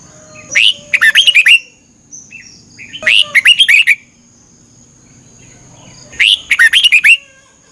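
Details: Thailand caged red-whiskered bulbul in its morning training routine: three brisk warbled phrases of chirpy, looping whistles, each about a second, separated by roughly two-second pauses, with a thin steady hiss.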